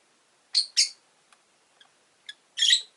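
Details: Rosy-faced lovebirds, green with orange faces, five caged near a window: two quick harsh chirps in succession, a few tiny ticks, then a longer raspy chattering squawk at the end.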